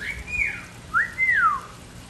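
A mockingbird gives two clear, pure whistles: a high note sliding down, then a rising-and-falling slur. The background is quiet.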